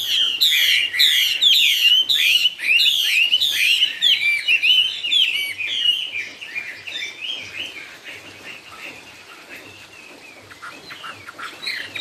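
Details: Chinese hwamei singing in the song style called 'cao cầu': about four seconds of loud, rich whistled phrases repeated in quick succession, then softer, varied warbling notes trailing off, with a faint low hum beneath.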